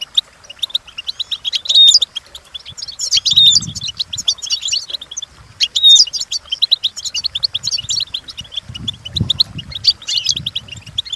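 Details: High twittering goldfinch song for training, continuous chattering phrases of quick chirps and trills with occasional thin whistled notes, plus faint low rumbling handling or background noise.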